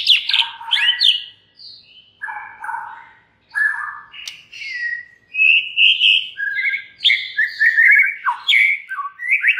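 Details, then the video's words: White-rumped shama singing to provoke rival shamas: a dense run of sweeping whistles, chirps and fluty notes, jumping between low and high pitches with brief pauses. "99% murai JENIS APAPUN pasti NYAUT EMOSI dan GACOR berkat kicau Murai batu ini"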